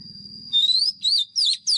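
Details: Oriental magpie-robin kept as a decoy, singing a fighting song to train other birds: four clear, slurred whistled notes in quick succession after a brief low rumble, with a thin steady high tone.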